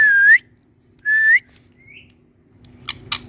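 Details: Indian talking parrot, a green ringneck on a plant, whistles twice: flat, clear notes that flick upward at the end, then a soft rising note and a few clicks.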